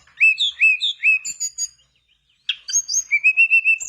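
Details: Mangrove blue flycatcher singing as a lure for other birds: repeated pairs of looping whistled notes, a pause of about half a second, then a steady series of clear even whistles.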